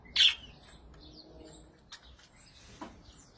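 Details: Male budgerigar outdoors in an olive tree gives one sharp, high chirp, followed by a few faint chatters.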